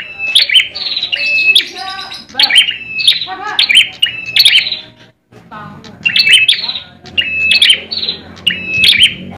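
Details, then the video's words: Bar-winged prinia, a caged Indonesian competition bird in fighting mode, singing nonstop: rapid bursts of sharp chirps, each ending in a short flat whistled tone, repeated about once a second, with a brief pause mid-way. "ciblek merah tarung"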